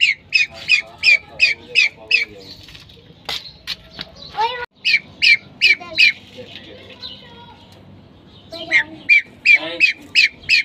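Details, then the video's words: Hen pheasant giving bursts of fast, repeated raspy calls, several notes each second, broken by a short pause with a few sharp clicks and a lower squawk mid-clip, then the rapid series resumes. "female pheasant calling"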